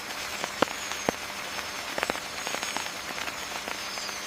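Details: Scattered raindrops tap and patter irregularly on a surface over a soft background hiss, with no clear animal calls.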